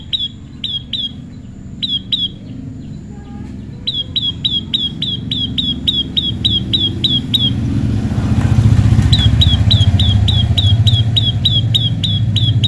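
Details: Tame prinia during natural pairing giving rapid runs of crisp, down-slurred chip notes, several per second in steady bursts, partly masked midway by a loud passing motorcycle engine.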